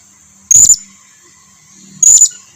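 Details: Blue-crowned hanging parrot lure sound, used to make other birds answer: two loud, thin, very high notes about 1.5 seconds apart, with a faint low hum and a steady high tone.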